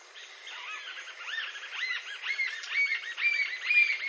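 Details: Green-tailed jacamar in Brazil, a series of arched, slurred high notes that start soft and grow louder and faster, ending in sharp repeated phrases roughly twice a second.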